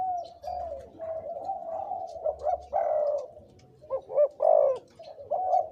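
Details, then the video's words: Caged spotted dove decoy, aged two to three years, with a long rolling coo, then a deep drawn-out note and three quick looping coos before the phrase starts again. "นกต่อ เสียงใหญ่(เจ็กหัวโต)และเสียงกลางกับเสียงเล็ก จ้วดๆ ครับ"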